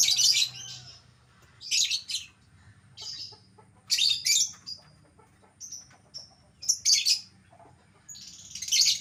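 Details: Caged albino lovebird giving loud harsh screeching calls every second or two, with short high chirps between, over a low steady background hum.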